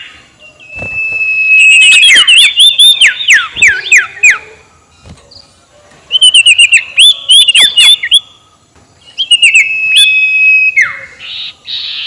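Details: Sirtu (ashy tailorbird) ngekek call for luring rivals: three bursts, each starting with a level high whistle and breaking into fast repeated looping chirps and clicks, ending on a falling slur and a hiss.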